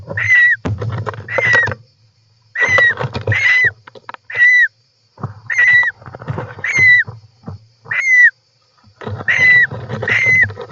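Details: Harsh, grating calls of European roller recorded inside the nest on 18 July 2024. Each note is a raspy burst with a falling whistled tone, given in uneven bursts of one or two, separated by short silences and rustling.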